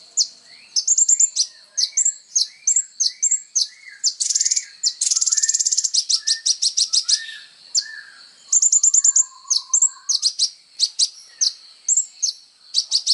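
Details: Vigorous kolibri ninja sunbird song, used as songbird training material: high chirps and whistles, dense buzzy trills in the middle, and softer lower warbled slurs beneath throughout.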